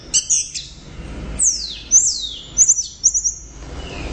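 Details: Orange-headed thrush singing loudly and persistently: bright, high whistled phrases that sweep steeply downward, with short clipped notes at the start, loud bursts separated by brief pauses.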